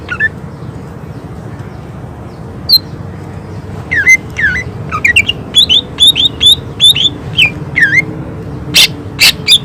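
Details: Cucak ijo, the greater green leafbird, in lively gacor song with tembakan shot-like bursts. After sparse opening notes, a dense run of loud whistled phrases dips and climbs, repeated in quick succession, with a low background hum.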